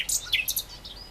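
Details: Great reed warbler song: a brief burst of sharp, high chirps and buzzy notes in quick succession, with faint background noise.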